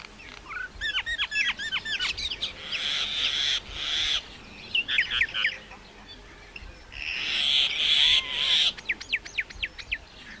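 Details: Mynah song with bursts of quick whistled chatter separated by long, noisy, rasping buzzes, the whistles rapid and repeated, the rasps harsh and drawn out.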